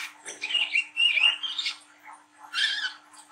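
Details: Young spotted Brown-throated sunbird singing harshly, used as a lure to stimulate young birds: scratchy buzzy phrases mixed with brief thin whistles, in bursts separated by short pauses.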